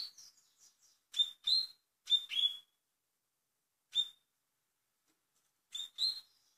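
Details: Double-collared seedeater from Portugal, velocista song style. Soft twitters lead into clipped, bright double chirps given in short phrases with gaps of one to two seconds between them.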